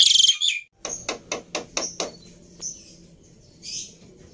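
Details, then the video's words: Agitated fighter Black-winged myna, used as a tutor bird for training other mynas: a loud, harsh high burst, then a run of six short rasping notes about every quarter second, and a later scratchy note. "Burung Jalak Putih fighter Emosi Nya kelewatan || Cocok Untuk Masteran Jalak Bisu"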